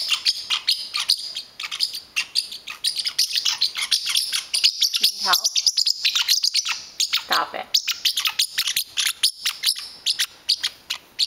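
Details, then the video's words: Angry pet parrotlet protecting his blanket whenever it is touched: long run of quick sharp high chirps and scolding chatter, briefly overlapped by a woman's voice. "Baloo the Parrotlet gets angry"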